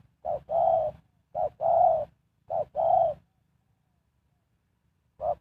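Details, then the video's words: Spotted dove used as a decoy to lure wild birds, giving low hollow coos in short-then-long pairs, three pairs about a second apart and then one more short note, in a quiet setting. "Sound Of Spotted Dove is so good"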